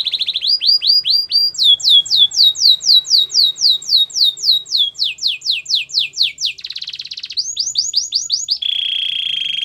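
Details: Belgian canary in full song: rising whistles, then a long run of downslurred notes about four per second, a buzzy roll, more upswept notes and a final steady trill.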